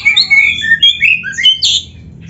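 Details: Oriental magpie-robin (kacer) singing a varied, phrase-filled song: rich, clear whistled notes sliding up and down, linked into a rapid flowing phrase that ends in a sharp, higher squeal.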